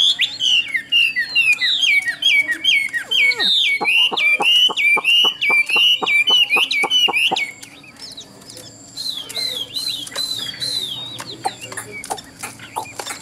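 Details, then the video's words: Well-built caged Chinese hwamei praised as a good singer in Vietnam, giving a long run of rapid whistled trills, then sharp clicking ticks, before resuming softer, looping whistles. "Họa Mi Dáng Dấp Bóng Bộ Đẹp, Hót Tốt Giọng Hay"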